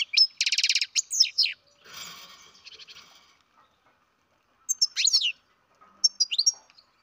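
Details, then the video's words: Captive-bred baby European goldfinch calling: quick bursts of high, thin twittering notes, a run of rapid repeated chirps opening, then a soft rustling noise, and two more short twittering bursts near the end. "Καρδερίνα εκτροφής μωρό (Goldfinch carduelis baby"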